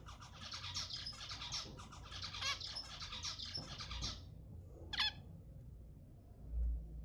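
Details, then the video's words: Zebra finches calling and singing, sounds meant to stimulate breeding: four seconds of dense, buzzy, overlapping chatter from several birds, a pause, then one sharp rising note, with low background rumble. "تحفيز الزيبرا على التزاوج 10 دقائق من أصوات الزيبرا المحفزة"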